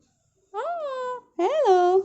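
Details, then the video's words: Pet parrot indoors in a small room saying 'Hello': two short, high, tonal syllables with a clean falling then rising-falling pitch, separated by a brief pause. "Parrot saying Hello - How are you"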